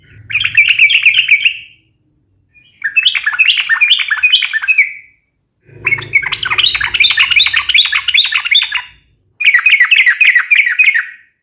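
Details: Sooty-headed bulbul delivering a sharp, rapid fighting song used to provoke other bulbuls: four dense bursts of fast bubbling, chattering notes, each about one to three seconds long, separated by short silences, with faint low rumbling.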